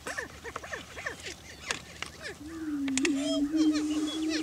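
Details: A lek in Washington County, Kansas, where Greater prairie chickens display for breeding territory. Hurried cackling yelps open the recording, then a loud, steady low drone takes over, with a few whoops above it.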